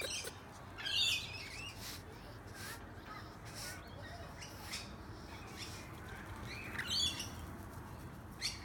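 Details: On a balcony on the Gold Coast, Queensland, Australia, on July 8, 2018, a female rainbow lorikeet fighting off a suitor gives two harsh, shrill screeches about six seconds apart, with fainter squawks between, over steady hiss.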